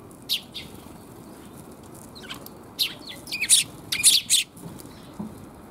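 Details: Group of sparrows in a back alley on 28 January 2022: sparse high chirps at first, then a livelier cluster of five or six sharp tweets, some with short downward slurs, over faint background rumble.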